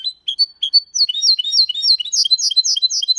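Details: Goldfinch × canary hybrid sings cleanly without errors in Malaga style, a rapid, high twittering run of bright chirps and slurred whistles building into louder rolling phrases, with no other sounds.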